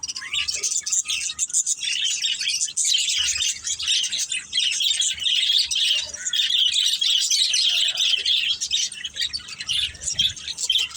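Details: Pet budgerigar family chattering without a break, a steady stream of high warbled twitters and rapid chirps layered from several birds.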